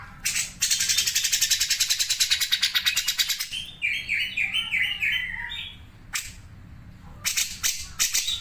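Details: Cucak jenggot pouring out sharp sewing-machine besetan: a long, fast, evenly pulsed run of high chips, then a cluster of bubbling warbled notes, with harsh bursts after a pause.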